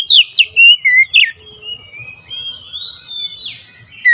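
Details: Agitated, fierce singing by an oriental magpie-robin: a quick opening run of loud, sharp whistled notes, followed by quieter long sustained thin whistles, and a final bright note; faint low noise.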